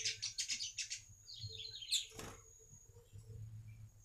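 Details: Baya weaver song used as a lure for other weavers; rapid buzzy rattling pulses, then a rising wheezy whistle ending in a harsh burst, with low rumbling background.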